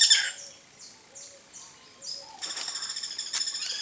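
Guira cuckoo giving a run of thin, falling whistled notes, about three a second, then breaking into a harsh, scratchy chatter.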